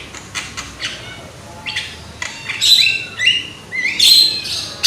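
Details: Javan myna (jalak kebo), a young loud singer used as a lure: soft clicks at first, then louder harsh squawks and whistled slurs in the second half.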